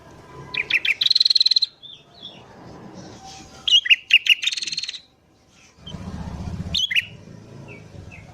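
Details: Wild sooty-headed bulbul calls recorded in the morning as a lure for wild birds: rapid bursts of high twittering notes, a second chattering burst after a pause, then sharp chirps over a low rumble.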